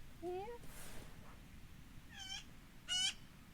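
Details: A Black-billed Magpie in spring calls near a house, where it has called almost constantly for a week, lifting its tail and lowering its head, perhaps for territory establishment. A short rising nasal whine, then two harsh, buzzy notes about a second apart, over low rumble.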